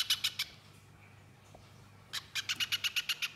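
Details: A few bright chips from a little spiderhunter, then a long near-silent gap, then a renewed rapid string of clear, high, repeated notes in the nyerecet chatter used for masteran training.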